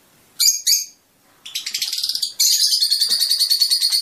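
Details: Fischer's lovebird song said to encourage mating and singing: two short shrill chirps, a pause, then rapid pulsed chattering of about four notes a second that runs into a continuous high twittering trill.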